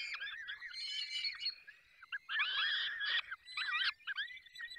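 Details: At a falcon nest in the Barycz Valley, Poland, while being fed: choppy bursts of shrill, wavering calls from several birds, separated by short quiet gaps.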